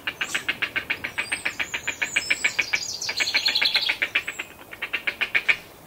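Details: Grey heron well-grown chicks in the nest with adults, feeding calls recorded close up: rapid, evenly repeated harsh clicking chatter, about three to four notes per second, continuous through the clip.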